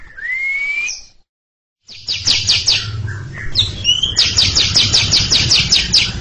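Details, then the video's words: Greater green leafbird (cucak ijo) singing a long chattering ngekek song in front of a younger bird that has stopped singing. A rising whistle, a short pause, then rapid, buzzy, high notes repeated about every third of a second. "Cucak Ijo ngekek panjang siap ngeroll didepan junior macet"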